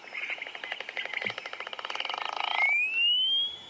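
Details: A lark over a cleared fire break, first called a clapper lark and then said to be a flappet lark, wing-claps in flight: a fast dry rattle, about four claps per second and quickening, then a long thin whistle rising steadily.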